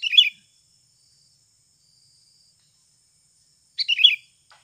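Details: Sooty-headed bulbul, natural lure sound played to make birds start singing quickly: two short bubbly, liquid warbled phrases, one at the start and one about four seconds later, separated by silence.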